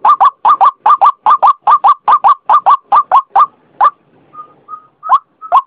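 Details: A white-breasted waterhen (ruak-ruak) lure recording: a rhythmic series of paired, grating croaks, then a pause with soft short whistled notes and two final croaks.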